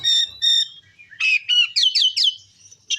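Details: Oriental magpie-robin singing in a way meant to provoke rival magpie-robins: two harmonic whistled notes, then a run of loud, sharply falling slurred whistles and a short burst at the end.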